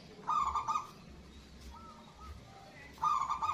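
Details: Local zebra dove delivering loud calls meant to trigger replies and raise breeding drive in other doves. Stuttering, bubbling coo phrases open and close the stretch, with a fainter coo in between.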